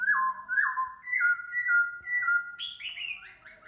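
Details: Black laughingthrush (Melanocichla lugubris) singing and displaying to greet the morning: rich, clear whistled phrases slurring downward, about two per second, ending in higher, brighter notes.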